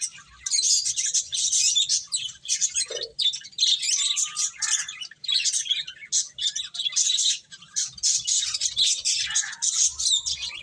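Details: A group of finches chirping while eating, long stretches of dense, high twittering bursts separated by short silences, with one brief lower knock early on.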